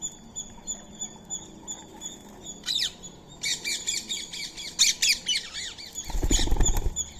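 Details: Indian ringneck parakeet eating soaked rice and corn meal while a squirrel shares the food: loud, harsh, arching squawks come in quick clusters over steady high ticking, ending with a low thumping rustle.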